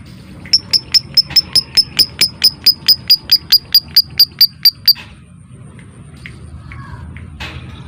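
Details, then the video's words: Tight, neat 'ngetik' ticking from a lovebird, played to coax birds into singing and mating: a long, fast train of crisp high clicks lasting about four seconds, then near silence with faint chirps. "MASTERAN LOVEBIRD suara Ngetik ll Ngekek Rapat ll Rapi"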